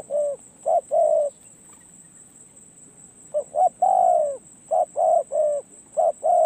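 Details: Spotted dove on a perch, gaining experience, gives deep rounded coos in clustered bursts of two or three notes. One quiet gap of about two seconds falls between the bursts.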